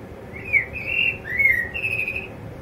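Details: Quiet self-directed song of a male blackbird in a yard: clear mellow whistles in four drawn-out phrases, each gliding up or down, sung close and fairly loud against faint low rumble.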